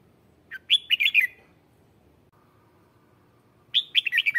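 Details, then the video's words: Lure red-whiskered bulbul singing to call wild bulbuls, two rapid lilting chirpy phrases separated by a quiet gap of about two and a half seconds. "Tiếng chào mào mồi hót gọi bổi má trắng, kích bổi sổ bọng hót căng lửa"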